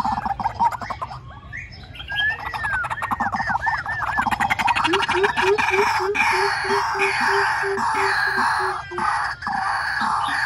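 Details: White-breasted waterhen heard in a trapping lure: a string of sliding, falling whistled notes, then a long series of short, low, regularly repeated notes, about two per second, under continuous harsh calling.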